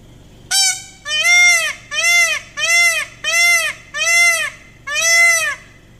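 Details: A peacock perched high in a dogwood tree gives seven loud, nasal, honking calls in a steady series, each rising then falling, about one per second, against a quiet background.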